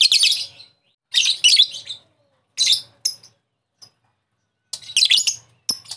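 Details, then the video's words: Lovebird call used to lure and provoke another lovebird into 'ngekek' chattering; piercing, buzzy squawk bursts in uneven groups with silent gaps, a few short sharp chips between them, ending in renewed harsh chatter. "Pancingan Lovebird memanggil lawan sangat receh,jos memancing Lovebird agar ngekek"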